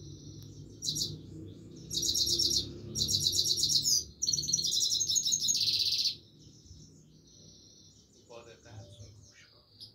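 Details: A Himalayan goldfinch sings on and on in rapid, high, jingling twitter phrases that merge into a dense burst, then fade to softer scattered notes, with a faint lower sound near the end.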